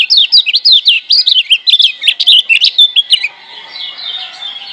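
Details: Lemon-bellied white-eye, a wild bird from Lombok, singing a master song for training other birds: rapid looping whistles and sharp chips packed tightly together for three seconds, fading into quiet background warbling.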